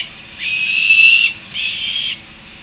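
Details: Two harsh, drawn-out wails, the first longer and louder, from young Peregrine falcons returning to their nest in Harrisburg, USA.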